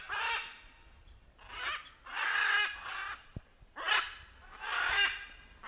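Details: Macaw in nature giving raucous, drawn-out screeching squawks, about five over several seconds, each rough and broad with a slightly tonal core, separated by brief pauses.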